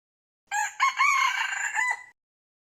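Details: Crow of a red junglefowl rooster, used as a trapping decoy. A single raucous crow lasting about 1.6 seconds: a brief opening syllable, a long steady harmonic stretch, then a dipping final note. Nothing else audible.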